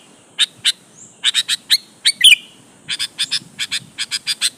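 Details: Sooty-headed bulbul, a lure recording to make other bulbuls answer and sing. Rapid doubled and tripled chips build into steady runs, with one short curling whistle in the middle.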